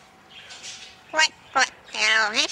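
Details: Pet male Red-sided Eclectus parrot, hatched February 2008 and not hand-raised, talking while being tickled by its owner at home; three harmonic voiced bursts, the last one long and wavering, with soft music and the owner's speech around it.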